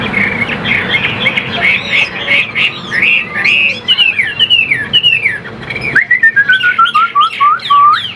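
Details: Chinese hwamei kept in a cage, singing a fast string of varied whistles, rising and falling slurs, ending in a series of quick descending notes, with some background rumble early on.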